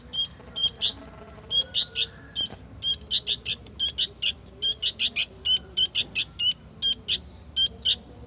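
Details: Sooty-headed bulbul fledgling chirping on and on: crisp high notes in uneven bunches of two to four across several seconds, over faint background noise.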